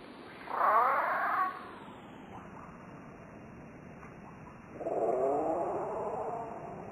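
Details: California scrub jay giving two harsh, raspy calls about a second each and four seconds apart, played slowed down to a lower, drawn-out pitch over a steady hiss.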